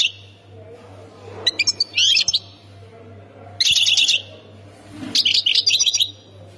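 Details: European goldfinch from Khemis Miliana, Ain Defla province, Algeria, singing three separate bursts of bright, high, twittering notes with pauses between them, over a steady low electrical hum.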